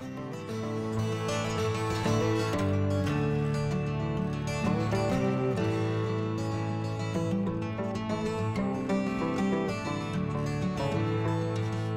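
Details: Steady acoustic guitar music with plucked chords and a low bass line throughout, with no animal sounds.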